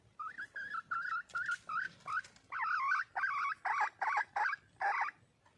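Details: Wild female red junglefowl seeking a mate: a run of about fourteen short clucking notes that grow louder and harsher, each roughly a third of a second apart.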